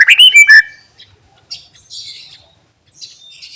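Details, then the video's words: Greater green leafbird delivering mimicked song phrases: a loud half-second flurry of sharp whistled and chirped notes, followed by faint, thin, scratchy twitters. "Cucak Ijo Bongkar Isian Bikin Emosi Burung Lain"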